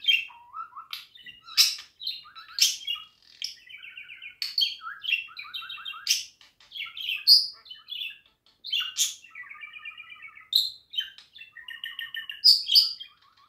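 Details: Extended budgerigar song for pet birds, a lively flow of clicking chirps, buzzy stuttering trills, sharp squeaks and whistled slurs, alternating rapidly with brief quiet gaps.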